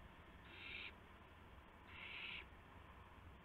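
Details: Owls at night, shortly after midnight on March 19, 2016, while adults bring a gopher and mice to owlets. Two harsh, breathy hissing bursts, each about half a second long, over a low steady hum.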